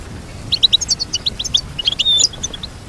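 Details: Short goldfinch phrase: a run of quick, high, evenly spaced chirps ending in a brief thin whistled note and a liquid twitter.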